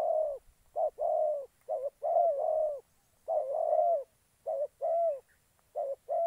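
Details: Decoy spotted dove from Gia Lai, Vietnam, used to lure wild doves into traps, cooing steadily in soft, mellow phrases of short and longer notes, repeated almost without pause against a still, quiet background.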